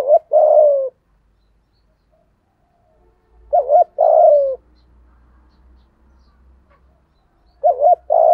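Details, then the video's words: Lure spotted dove with a 'thổ' voice style: low, hoarse coo phrases of a clipped double note and a lengthy falling note, repeated about every four seconds, over a faint low rumble. "Tiếng chim cu gáy kích bổi nhanh nổi hiệu quả - Chim Cu Mồi"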